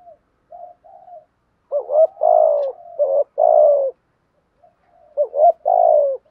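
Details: Spotted doves, male and female, cooing as a lure to excite other doves to call. Soft low murmurs lead into rapid doubled coos and long rich falling notes, repeated twice, with silence between phrases.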